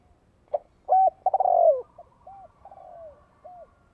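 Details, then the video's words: Spotted dove used as a decoy to attract wild birds; one loud phrase of a short note, a level coo and a long rolling falling croon, followed by quieter trailing coos. "TIẾNG CHIM CU GÁY GỌI KÍCH BỔI GỌI MỒI || BỔI NGHE TIẾNG TỪ XA LA ĐẤU CỰC CHUẨN"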